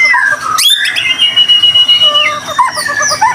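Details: White-rumped shama singing hard, played so other shamas start singing: a sharp upward squeak, then a long steady pure whistle held for over a second, ending in softer twittering notes.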